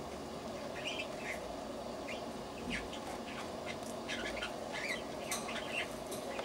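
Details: Cockatiel, recorded 13 September 2009, calling with a mix of brief rising chirps and harsher broadband squawks scattered irregularly over a constant low hiss.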